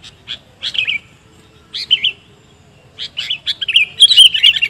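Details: Sooty-headed bulbul used as a lure call: clear, bubbly whistled phrases warbling around the upper-middle range, with short notes between them and a louder, busier burst of chattering notes near the end.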